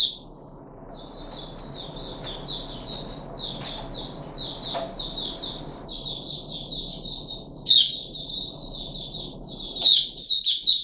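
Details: Caged Puff-backed bulbul on its third day after deworming, 14 July 2021, giving a long run of quick, high chattering notes that slide downward, one after another, with a few sharper, louder notes near the end.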